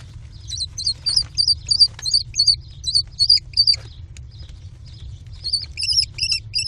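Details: American kestrel chicks, four in a nest box, screaming during a food frenzy as their mother brings prey, 18 June 2019: a quick run of shrill, doubled, high screeches, a short lull, then more rapid screeches over a low steady hum.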